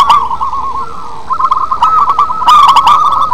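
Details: A local zebra dove with a big voice, used as a lure call, coos in low, rolling trills, a continuous bubbling purr with several phrases, broken by a few sharp clicks and knocks.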